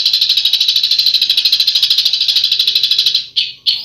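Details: Songbird singing in besetan style, a fast rattling run of sharp, high notes, about three per second, held steady for three seconds before two short louder bursts close the phrase.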